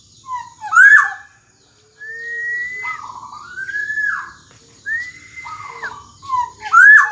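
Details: Black-naped oriole in energetic 'gacor dor jonbreak' singing, for teaching young orioles: series of drawn-out level whistles each followed by a lower falling note, framed by two harsh squealing upsweeps.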